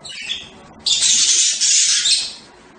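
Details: Budgerigar giving a loud, harsh, raspy screech that runs about a second and a half after a fainter opening chirp.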